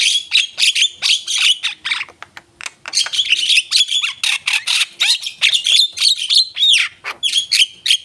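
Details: Javan myna singing continuously in captivity; an unbroken stream of scratchy squawks, clicks and short whistled slurs at a fast, even pace.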